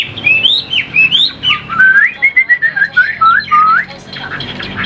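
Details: Caged Chinese hwamei singing a rich run of loud, clear whistled phrases, sliding and looping notes rising and falling, delivered in quick bursts with brief gaps.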